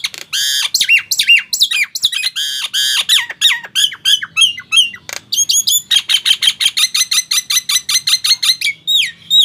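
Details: Long, busy run of Nias hill myna song used as a lure to get mute mynas singing. Harsh squawks and rising and falling whistles give way to a rapid, even string of clipped notes near the end. Nothing else is heard.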